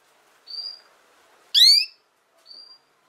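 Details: Three notes from a female canary: a thin level whistle, then a loud, sharply upslurred harmonic note, then a soft short whistle, against near silence.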